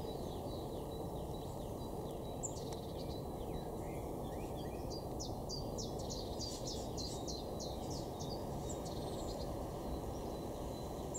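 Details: Great spotted woodpeckers quarrelling over territory in an orchard garden: scattered sharp high notes break into bursts of rapid chattering calls, repeated in clusters, over a constant low rumble of background noise.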